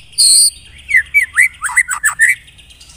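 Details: White-rumped shama song played as a lure recording to prompt caged birds to sing: a harsh buzzy burst, then a run of slurred whistles, some rising and some falling, mixed with sharp high clicks.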